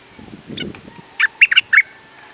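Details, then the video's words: Caged red-whiskered bulbul giving a brief burst of four or five loud, clipped warbled notes after a quiet start, with faint thin whistles underneath. "Burung merbah lekir bay hoach thom gacor bahanan"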